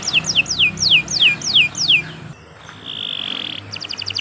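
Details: Canary giving seven loud down-slurred whistles about a third of a second apart, then a quiet pause, a steady high whistle, and the start of a rapid trill.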